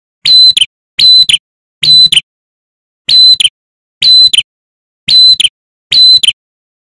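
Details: Male ashy tailorbird singing short, bright, high ringing phrases, each under half a second, repeated about once a second against a silent background; a lure recording played to wild-caught birds to make them sing.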